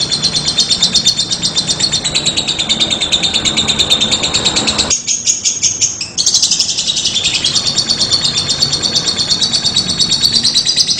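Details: Lovebird giving a long ngekek, a sustained trilling song: a dense, rapid, high chatter runs almost unbroken for eleven seconds, briefly shifting pitch in the middle before resuming the fast rattling trill.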